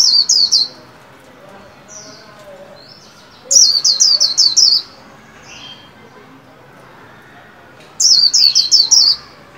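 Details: Captive white-eye being trained to sing for the 2021 new year, giving three bursts of five or six high, quick downslurred whistled notes about four seconds apart, softer thin notes between bursts.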